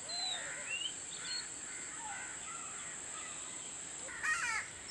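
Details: Oriental magpie-robin recorded on 4 July 2016: varied, separate whistled notes at shifting pitches, some rising and some falling. A harsh, caw-like burst comes near the end over a steady high-pitched hiss.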